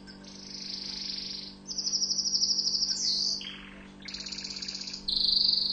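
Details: Tunisian orange canary, known locally as mfa7el, delivering rolling high trills, a harsher burst, a short lower tour, then quick rattling and pulsed trill phrases, each held about a second, over a low background hum.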